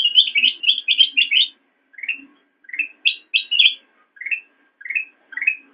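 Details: Black-crested bulbul, a cage bird, singing for use in training other songbirds: a burst of rapid, bright chattering notes, then short rising whistled phrases repeated about every half second, with a faint low hum beneath.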